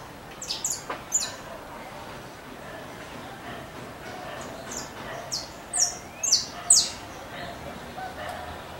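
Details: A free-flying saffron finch (Sicalis flaveola) singing sharp, high chip and slurred notes in short bursts, with a steady background hiss.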